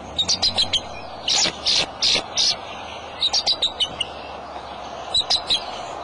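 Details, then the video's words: Male bald eagle calling at the nest holding eggs, March 23, 2:26 pm: spaced high chittering notes, then a run of longer piercing squeals and more quick piping bursts, over a steady background hiss. "dad calling"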